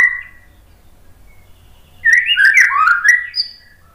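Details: White-rumped shama in full song, used as a lure to provoke other birds into answering: a brief whistle, a pause, then a loud rich burst of fast, varied warbling and whistled notes for about a second and a half.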